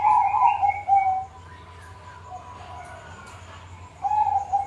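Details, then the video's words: Zebra doves in a chorus meant to prompt non-singing doves: a bright trilled coo opens, softer overlapping cooing fills the middle, and another loud quavering phrase returns near the end. "Pancingan buat burung perkutut macet atau belom bunyi,ini ombyokan aja sudah bunyi"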